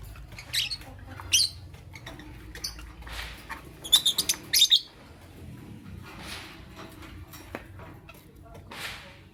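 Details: Morning lovebird calls: scattered high chirps, then a quick series of four or five sharp squeaks, followed by softer, breathy notes over low background noise.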